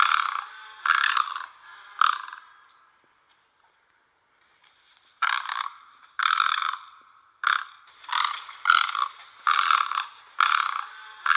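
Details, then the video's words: Great egret giving about ten harsh, rasping croaks, each under a second, in uneven bursts with a short quiet pause midway. "White heron call | Great egret"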